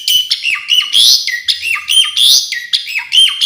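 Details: Asian pied starling singing a full, varied fill-in song: loud whistled notes dropping from high to mid pitch, with buzzy rasping phrases between, repeated in quick irregular bursts about every second.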